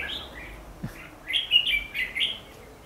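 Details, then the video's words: Red-whiskered bulbul, fighting song used as a trap lure, recorded 14 December 2015; a loud, fluty, rapidly rolling phrase of several linked whistled notes dominates the middle of the clip. "Bẫy đấu chim chào mào"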